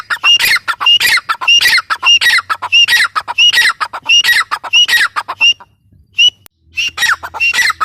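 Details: A loud, rhythmic chain of grating teetar calls from a grey francolin, each phrase topped by a short whistled slur, about one and a half phrases per second, a brief pause, then calling resumes.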